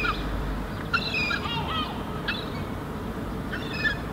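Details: A herring gull fledgling in Helsinki, Finland, in July 2016 answers its parents calling nearby. It gives loud, thin, whining harmonic calls in three short bursts about a second apart, over steady low wind or surf rumble.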